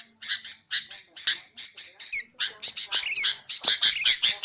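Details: Sooty-headed bulbul, played to lure bulbuls and to coach songbirds. Rough, squawky notes come in an uneven series, mixed with short rising and falling slurs, and grow louder toward the end.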